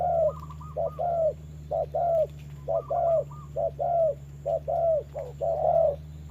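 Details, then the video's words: Decoy spotted dove and a wild rival exchanging calls during rain in a trapping setup: rapid series of low short-long coo pairs, overlapped by fainter higher quick notes from a second dove, constant low hum. "Bẫy chim cu gáy mồi đấu cùng bổi trời mưa"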